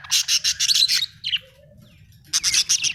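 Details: Budgie chirping in rapid, pulsed high bursts that stutter quickly, pause briefly with a soft lower note, then resume in another fast chattering run. A low steady hum sits underneath.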